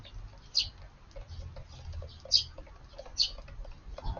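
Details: Garden sparrows on a 9 June evening, mostly fledglings with one or two adults, feeding together; three sharp high chirps spaced roughly a second apart, faint clicks and low background hum.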